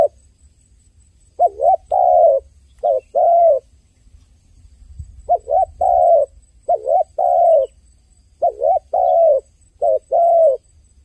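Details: A dove cries in three bursts, each holding dipping, hook-shaped coos followed by longer steady ones, spaced about three seconds apart, with a faint low rumble between them.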